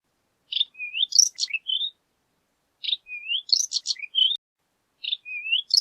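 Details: Horned lark singing: tinkling, jumbled phrases of high twittering notes, rising slurs and quick buzzy flourishes, each phrase about 1.5 seconds long and repeated after short pauses.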